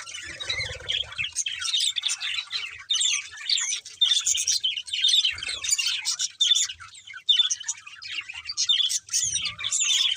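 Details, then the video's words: Budgies warble while eating, a long run of twittering, squeaky chirps and clear whistled notes, busy and uneven with short pauses, over faint low fluttering and rustling sounds. "Beautiful Budgies Singing and Eating"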